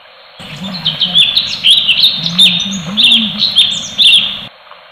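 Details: Cucak cungkok, the orange-bellied leafbird, in full 'tembakan' song style: a busy, unbroken flow of quick chirps and twitters, bright and high, with several louder emphatic notes near the end.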